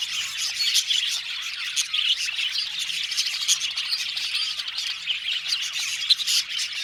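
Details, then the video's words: Budgie colony in an aviary, a loud steady blend of chirps, squawks and warbled twittering from many birds, with sharp single notes popping out now and then. "Budgies Chirping sound"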